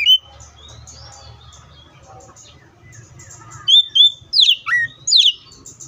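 Oriental magpie-robin song: loud, clear whistles with sharp rising and falling slurs in quick bursts, over a soft low hum and faint background chirps.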